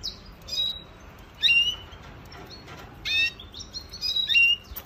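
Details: Sparse Venezuelan goldfinch phrases: short sharp chirps and quick downslurred whistles in separated bursts, with quiet gaps between.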